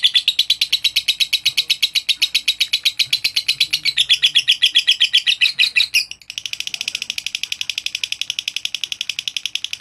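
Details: A lovebird's shrill, rapid chattering, used to provoke rival lovebirds, about four sharp chirps a second, runs on without pause. A steadier chirping stretch follows after an abrupt change partway through.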